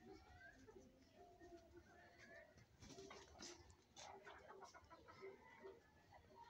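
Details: Chickens and roosters feeding, giving short, irregular clucks and low harmonic calls scattered across the recording, mixed with scratching and pecking noises.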